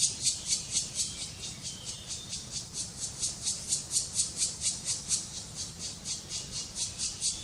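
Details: Black woodpecker (Dryocopus martius) chicks being fed in Kras-Karst, Slovenia, in May 2018. Harsh, hissing, rasping pulses repeat steadily about twice a second over a low background rumble.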